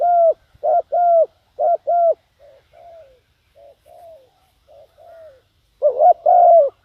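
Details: Decoy spotted dove calling to lure wild doves: loud hoarse coo phrases, two-part bursts repeated in quick succession, alternating with softer, lower-volume coos from another dove, then a final strong two-note coo.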